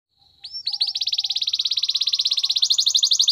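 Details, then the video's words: Belgian canary training song: after a faint soft note, the bird launches into a rapid, rolling trill of repeated upswept notes that holds steady and bright to the end. "Listen to this and your belgian canary will sing a lot !! Canary's training song"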